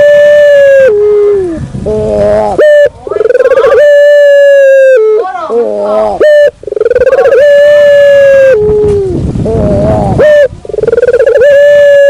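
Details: Barbary dove lure call: loud, steady, flat-pitched coos held for a second or more, broken by dips and shorter wavering notes, with rich overtones and brief gaps of near silence.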